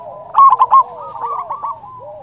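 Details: Local zebra dove with a big voice, used to lure and excite other doves: one sharp burst of three rapid coo notes, followed by softer, wavering cooing from another bird.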